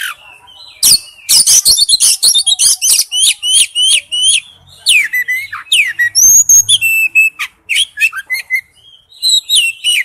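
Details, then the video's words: Oriental magpie-robin song used as a lure ringtone: loud, rich phrases of whistled notes, sharp chips and rapid buzzy trills between 2 and 8k, notes repeated in quick bursts with brief pauses, a few clicks and thumps underneath. "Nhạc chuông tiếng chim chích chòe than mồi"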